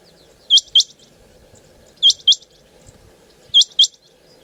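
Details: Calling female rain quail (chinga batair) gives crisp, high doubled notes, three pairs repeated roughly every one and a half seconds against a quiet hum.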